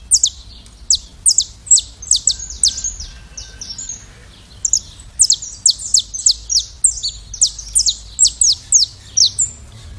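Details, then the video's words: Saffron finch singing its classic song, fast repeated sharp chirps and short twittered phrases, pausing briefly before resuming in a dense run of bright falling notes. "Canário da Terra Sicalis flaveola canto clássico"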